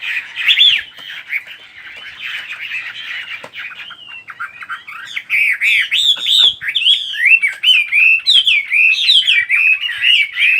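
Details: Birdsong that opens with a soft, blurred chatter, then grows louder into a lively run of looping whistled and warbled notes, roughly one phrase a second, with faint low thumps.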